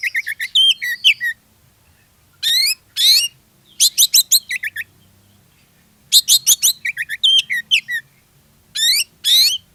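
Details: Lively lure song of an Oriental magpie-robin, used to make other magpie-robins sing: rapid chattering note runs mixed with loud harsh buzzy phrases, recurring in groups with short silences between.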